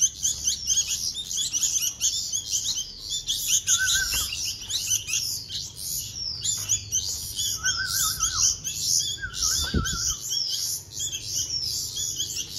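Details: Bulbul nestlings clamour while being hand-fed: rapid, shrill scratchy chirps in continuous bursts, broken three times by a short wavering whistled trill and a soft thump.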